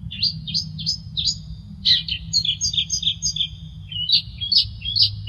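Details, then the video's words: Long-tailed shrike (cendet) singing actively, offered as a training and lure song: a varied run of short chirped and whistled notes, some sliding or looping, tumbling quickly in a lively, uneven sequence with a low steady hum underneath. "burung cendet gacor | suara variasi masteran dan pancingan"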